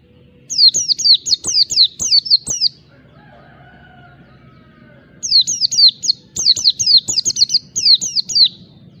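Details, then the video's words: Oriental white-eye in ngalas wild-type song to provoke rivals: two long bursts of rapid, high, sharply falling whistles, about three per second, separated by a silent gap of roughly two seconds. "Pleci Ngalas Cari Lawan"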